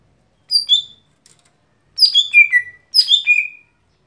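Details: Lesser green leafbird giving its everyday song: three clear bursts of high, sweet descending whistled notes, each phrase sliding down in steps, separated by short pauses, in a quiet setting.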